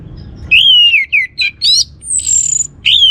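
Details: Orange-headed thrush song used as a lure to stimulate other birds to sing: loud, clear whistled phrases, slurred down and rising, with a high thin whistle mid-clip and short chirps between, over a low background hum.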